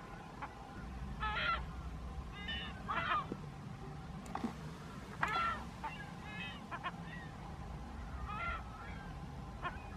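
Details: California gulls on the dry Owens Lake lakebed near Lone Pine, California, below the Sierra Nevada, give harsh, nasal squawks and yelps, several birds calling in bursts every second or two over a steady low rumble.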